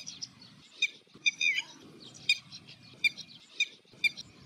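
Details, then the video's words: Red-wattled lapwing heard in the background while a little egret looks for fish; piercing short notes repeated about every half second, with a brief busier burst early and a low murmur throughout. "Red wattled Lapwing Sound / call in the Background"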